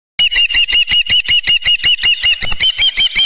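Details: Osprey at its nest with a live fish, early morning at 7:32 AM on a ranch, 24 June 2018; loud, rapid series of sharp whistled chirps around the same pitch, repeated steadily about three per second.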